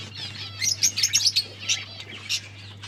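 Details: Budgerigars kept as pets chirping over food; a quick run of sharp, high, clipped chirps in the middle, then a few spaced notes, above a steady low hum.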